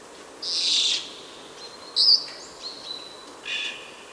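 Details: Senegal parrot at Verona, 1 September 2012. It gives harsh, raspy screeches and a sharp whistled note, a few calls spread over four seconds.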